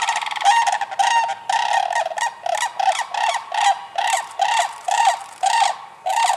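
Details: Rhythmic rolling rattles from sandhill cranes in Michigan during spring, about a dozen harsh trilled bursts spaced evenly over six seconds.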